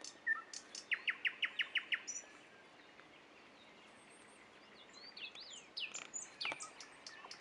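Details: Common nightingale song at Dubki: a fast series of about eight loud, evenly spaced clicking notes, then a pause and high whistled sweeps and sharp notes.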